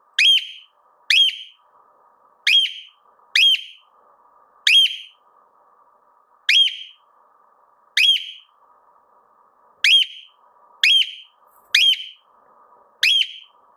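A cockatiel gives loud, shrill whistled calls, each a quick upward-bending note, repeated about once a second.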